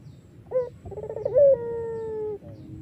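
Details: A melodious Iraqi-type collared dove, recorded as a lure for other doves, gives a clipped note, a rippling trill and a long smooth coo easing downward over about a second.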